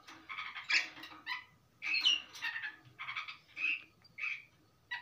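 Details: Long-tailed shrike singing a steady song described as rich in material or fill notes. Harsh, scratchy bursts alternate with short clear whistled notes and pauses. A faint steady hum runs underneath.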